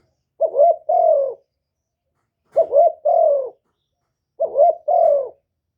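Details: Spotted dove decoy bird in the single-ending (1 hậu ròng) cooing style, meant to provoke wild doves: three two-part coos, a short hooked note then a longer falling one, spaced about two seconds apart in silence.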